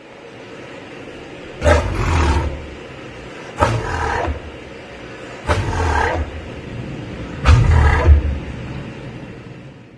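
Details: A Southern Cassowary gives four deep, rumbling booms about two seconds apart, each a low throaty roar lasting under a second, over a quiet background.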